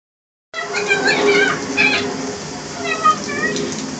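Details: A pet great-billed parrot talks in the shower, chattering in speech-like, warbling phrases over a steady hiss of running water.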